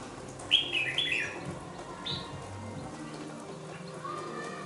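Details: Young caged red-whiskered bulbul, aged two months, delivers one quick bubbly phrase of three or four chirped notes, then a single short note. The rest is near-silence with a soft background hum.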